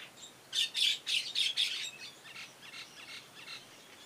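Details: Common hill myna carrying nest material outside its cage gives five harsh, rasping squawks in quick succession, then a few fainter scratchy notes trailing off.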